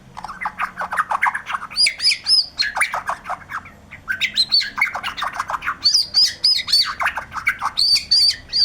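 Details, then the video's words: White-rumped shama pouring out dense, continuous song mixing harsh squawks, buzzy rattles and high ringing whistles in rapid succession. "suara burung murai batu gacor"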